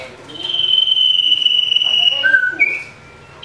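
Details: Common iora fighting call meant to provoke rivals: a sustained, slightly descending high whistle of about two seconds, followed by short lower and higher notes, then a sharp chip at the end.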